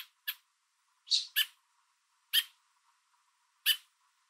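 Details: A parent American robin holding food in its beak on a fence in Southern Ontario, Canada, calls toward its fledgling while urging a person to back away. Six or so short, rasping notes come unevenly, two close together.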